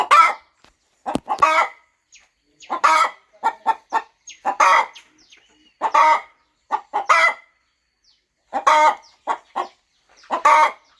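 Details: On a farm, a mother hen sits over her nest keeping eggs warm before hatching; clusters of short guttural clucks separated by brief silences, with a few louder, longer calls.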